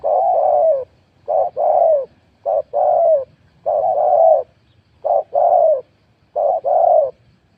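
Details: Decoy spotted dove calling steadily with deep, hollow coos in a short-then-long rhythm, roughly six phrases in quick succession, loud and close, over a quiet rural background.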